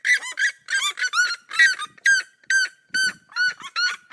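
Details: Seriema duet recorded in the cerrado, loud yapping notes in quick pairs and triplets, harmonic and slightly downslurred, then evenly spaced single yelps.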